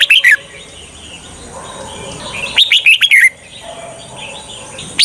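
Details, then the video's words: Trapping decoy red-whiskered bulbul: brief whistled burst at the start, then a longer run of bright, dropping whistles midway, with soft background chatter. "Chào mào mồi cực nhạy _ Âm thanh cho ae đi bẫy _ Chào mào mồi dụ bổi rừng"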